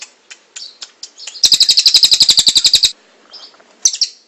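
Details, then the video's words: Kingfisher, a long recording meant for training other cage birds: after a few scattered chirps, a loud run of rapid, evenly repeated harsh high notes lasts about one and a half seconds, then brief chirps return. "Suara Burung tengek cililin panjang buat masteran burung"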